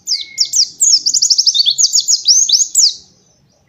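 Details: White-eye master song meant for training young birds: a continuous run of rapid, high, thin downslurred chirps and quick trilled notes for about three seconds, with a brief lower whistle at the start.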